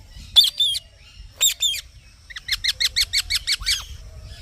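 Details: Green parrot with two harsh paired squawks followed by a quick rhythmic series of about eight bright chirps ending in a lower drop.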